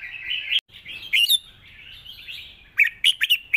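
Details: Red-whiskered bulbul, a cage bird, singing a long song in wild-style phrasing with chattering notes: a sustained warbling phrase wavering in pitch, one sharp click, then clusters of quick bright notes near the end.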